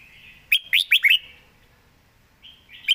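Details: A caged red-whiskered bulbul delivers a fast run of four clear, rising whistled notes after a soft warble, followed by a brief fluty phrase and one final bright note.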